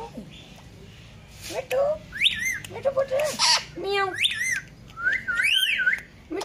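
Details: Pet talking ringneck parrot, healthy and very vocal, producing chattering speech-like syllables and rising whistles over a steady background hum.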